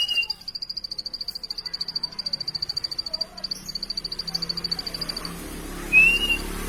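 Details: High, rapid, rhythmic buzzing notes from a plain prinia run for about five seconds, then stop. A single rising whistle follows over a low background hum.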